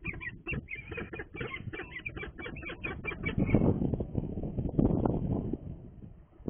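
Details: Leicester Cathedral peregrine falcon, a female, calling on 29 March 2020 while taking prey from the male, who then incubates the eggs. A rapid run of harsh, clipped notes for about three seconds, then fading into loud low rumbling noise.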